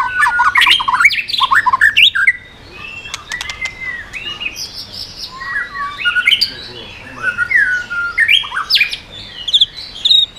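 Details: White-rumped shama singing to provoke other birds, here a rough, squawky run of harsh slurred notes mixed with whistled sweeps and scratchy chatter, loud bursts separated by short quieter gaps.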